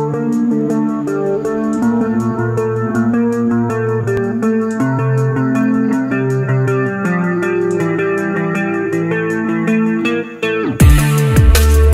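Plucked guitar and bass music plays steadily with a layered melody, ending in a sudden loud burst of noise; no animal voices are heard.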